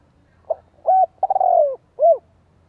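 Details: A male spotted dove gives a soft, hollow coo phrase: a short note, a hooted note, a long falling purr, then a final rounded coo, all low-pitched over faint hum; used as a lure to excite other doves.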